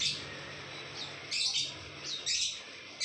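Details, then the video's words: Ngekek-style lovebird singing in two harsh, shrill chattering bursts with a few short squeaks between them, over a quiet hum. "Lovebird bikin ngekek"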